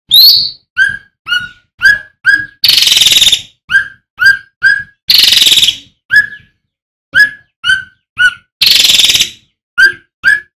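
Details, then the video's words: Male striated swallow singing persistently: a high squeaky opening note, then many repeated short downslurred whistles interrupted by three long, harsh rasping bursts. "Suara ASLI Burung Cucak Ranting ( RANTE ) GACOR"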